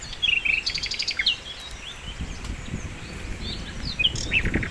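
A flycatcher sings a quick, high, chattering song of short trills and thin chirps in bursts, over a steady low rumble of background noise.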